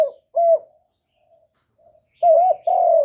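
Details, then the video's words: Decoy spotted dove kept to call in wild doves, recorded up close without background noise: a clipped coo, a short pause, then a hoarse two-part coo ending in a long, steady, mellow note. "Cu gáy mồi hạp bổi nghe là gáy, chim cu đất, cu gáy mồi cây, tiếng chim cu gáy gọi"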